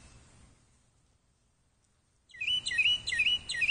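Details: Bird calling: after about two seconds of near silence, a quick run of bright, sharp chirps with sweeping high notes starts, repeated rapidly to the end, over faint low background noise.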